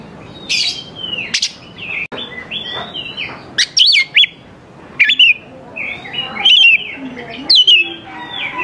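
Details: Oriental magpie-robin in lively song, played to lure young wild birds into answering: scattered loud whistles, sharp upslurred notes and buzzy twitters in irregular bursts over a low background hum.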